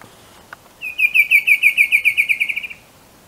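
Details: Bicolored antvireo (Dysithamnus occidentalis), Colombia: a single faint tick, then a rapid, evenly spaced trill of around sixteen bright notes held at one pitch for almost two seconds, ending abruptly into quiet.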